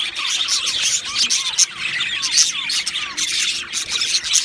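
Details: Two male Australian budgerigars chirping: a continuous, busy chatter of short high chirps and scratchy twitters, overlaid by repeated little curved whistled notes that rise and fall, with no pause across the whole stretch.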